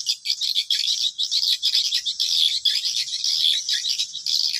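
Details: Twittering swiftlet lure sound for drawing birds to a swiftlet house, quick high chirps packed closely together in uneven bursts, almost a steady chatter.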